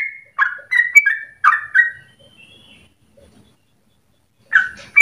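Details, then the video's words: Trucukan (sooty-headed bulbul) song used as a lure for training birds: loud rich warbled phrases around mid pitch in a quick burst, a pause of silence, then another short phrase. "Trucukan gacor dor ropel panjang untuk pancingan masteran"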